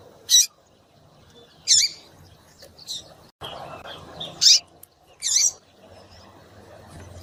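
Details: Female Double-collared Seedeater (coleiro) calls used to stir males into singing: five short, high, sharp chirps about a second apart over a quiet background.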